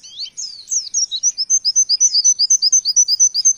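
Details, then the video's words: High-pitched 'nembak' song of an oriental white-eye carrying variation material from wekwek, kowul and ciblek, delivered as a steady, even string of about twenty-five short, sharp notes that quickens slightly. "Pleci Nembak Materi Variasi"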